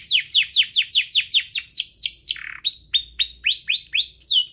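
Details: Canary song used to prompt other canaries to sing: a fast train of high, downward-sweeping chirps, about four per second, then a switch to sharp, clipped high notes and rising slurs.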